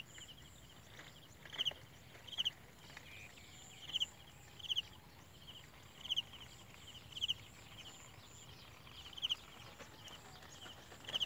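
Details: Olive-backed sunbird chick being fed by its parents, giving brief high twin peeps every second or so amid faint background rustling and a continuous thin buzz.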